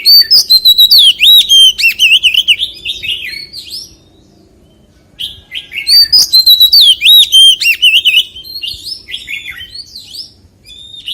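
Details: Two loud bursts of Oriental magpie-robin 'forest voice' song. Each is a fast string of varied whistles, wavering trills and clicks lasting about four seconds, separated by a short pause.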